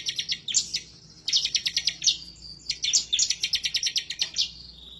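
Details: Bar-winged prinia singing hard in rapid bursts, excited and seeking a rival. Loud staccato chips tumble in quick runs, with a brief level whistle joining two phrases, over a faint low hum.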